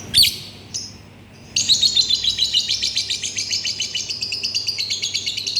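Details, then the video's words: Lovebird opening with a couple of sharp high chirps, then breaking into a fast, sustained, buzzy trilling chatter of rapidly repeated high pulses. "Burung Lovebird Bersuara"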